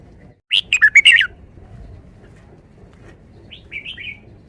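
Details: Red-whiskered bulbul kept in a cage, performing a five-syllable forest song: five quick, clear, warbling notes in a tight burst, then a quieter slurred whistle a few seconds later, low hum beneath.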